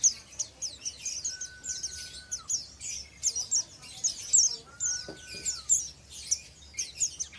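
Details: Oriental white-eye, an untrained pleci, doing ngeriwik twittering: a nonstop run of very high, scratchy chirps and trills, with two long, level, lower whistles partway through.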